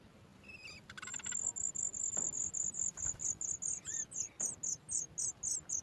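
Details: Baby sooty chat in the nest begging as its mother brings food: rapid, high-pitched repeated notes over steady background hiss, with a brief trill and another bird's short call mixed in.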